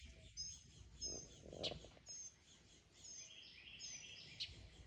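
A mockingbird gives varied high whistles and chirps in short bursts about every second, with sharp clicks mixed in, over a steady low background rumble.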